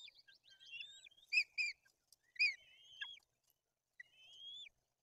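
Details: White-tailed eagle family at a Bory Tucholskie nest, Poland, feeding chicks on fish amid aggression from the older chick; twittering high notes, two sharp accented calls, then gently rising drawn-out whistles.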